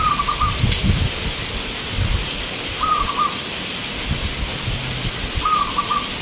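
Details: Local zebra doves (perkutut) at a song contest in Grabag, Magelang, Indonesia, with entrants from many cities. A short, trilled, cooing phrase comes three times at roughly 2.7-second intervals over a steady broadband hiss and low rumble.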